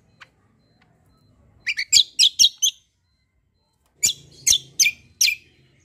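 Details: White-eye billed as a 'fighter' delivering 'kombo' song for tutoring other songbirds: two separate bursts of four to five sharp, high, slightly buzzy chirps in quick succession, silence between.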